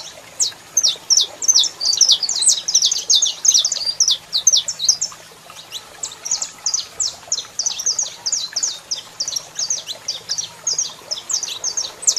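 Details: Sustained song of a male saffron finch answered by a calling female: dense volleys of high, sharp chirps, a brief pause near five seconds, then another long rapid run.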